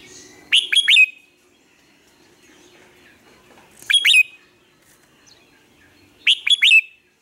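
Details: Red-whiskered bulbul singing in the morning, recorded as a lure to train other bulbuls: three short, loud phrases of rapid chirpy whistled notes, each about half a second, spaced roughly every three seconds with quiet between.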